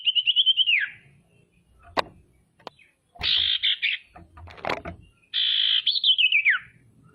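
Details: Female common iora in energetic calling, played to provoke rivals into calling and anger; three harsh buzzy phrases, the first and last wavering then sliding downward, separated by clicks and low knocks.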